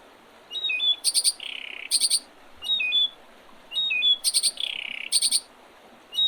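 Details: Wild birds singing in spring by the Oredezh river, Leningrad Oblast, Russia, on 8 April 2023. A high phrase of short notes, a buzzy trill and a sharp rapid flourish repeats roughly every three seconds over a faint hiss.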